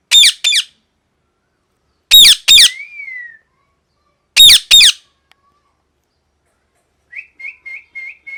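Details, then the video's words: A parrot gives three pairs of harsh, loud screeches about two seconds apart, then a short falling whistle and a quick run of soft, high chirps. "Loud Parrot Noise"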